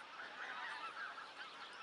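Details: Geese on spring migration, a huge flock arriving to feed in fields alongside swans, give a continuous blur of overlapping honks, steady and moderately distant, with no single bird standing out.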